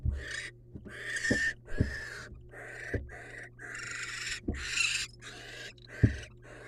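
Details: Wild barn owl, male bringing a rodent to the female: rasping, hissy screeches in uneven bursts, with sharp thumps and knocks of movement between them over a steady low electrical hum.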